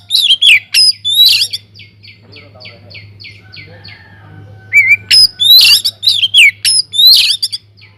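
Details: Aviary-kept Oriental magpie-robin in vigorous song, used as a lure for other birds: strong whistled phrases, a quieter series of evenly repeated falling notes, a brief rising whistle, then a lively run of sharp varied notes; faint hum.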